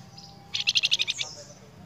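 A Golden-bellied Gerygone gives a quick burst of about eight thin, high, evenly spaced notes, lasting just over half a second, against faint background hiss.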